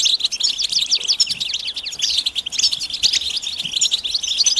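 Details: European goldfinch twittering mating calls for stimulating males into song: very dense, loud stream of quick downward-slurred chirps and bright tinkles, barely pausing across the whole stretch.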